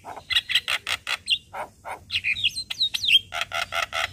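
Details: Javan myna song played each morning as a lure to coax a silent bird into singing: bursts of harsh, buzzy chattering notes repeated in quick series, broken by a few sharp whistled upslurs.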